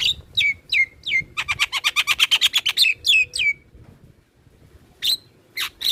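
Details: Black-winged myna song, used for stimulating captive birds: three falling whistled notes, a rapid run of about fourteen clipped harsh notes, two more downslurred whistles, a pause, then a few loud shrill calls.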